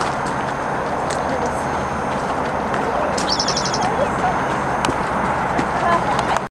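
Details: Spotted towhee singing beside the Clark Fork River on a busy recreation trail through riverine and upland habitat in Missoula, Montana: one short, fast buzzy trill of about eight high notes, under a second, over rushing background noise.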